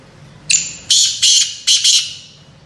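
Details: Kala teetar, the black francolin, calling: a short thin note, then a run of four rasping, harsh high bursts spaced roughly a third of a second apart, with a faint low hum behind.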